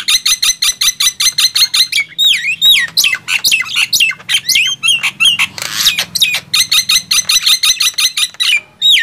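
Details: Contest of loud singing between Nias hill myna and black-winged myna: a fast, even run of clipped harsh notes, then a jumble of twisting whistles and a raspy hiss, then more rapid clipped notes.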